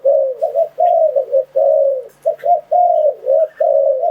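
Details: Spotted dove calling as a lure to trap wild doves. A tight run of low, hollow coos alternates short clipped notes with longer level ones, almost continuous over four seconds, with nothing else audible.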